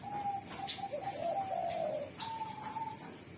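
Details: Spotted dove, a derkuku praised as a tireless singer with a sharp, clear, melodious voice that is good at calling wild doves: low, steady coos, a long drawn middle note, then a level closing coo over faint background hiss.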